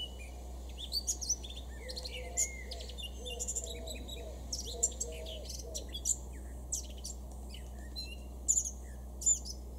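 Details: Male Eurasian blackcap in a Weener garden, East Frisia, Germany, June 2022, delivering bursts of quick, jumbled warbling with sharp high notes, separated by short pauses. Faint lower notes sound in the background over a constant low hum.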